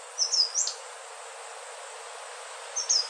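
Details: Indigo flycatcher, known in Indonesia as sikatan ninon, utters a short high-pitched whistled phrase of three notes, then a long pause and a second thin whistle at the end, against soft background hiss.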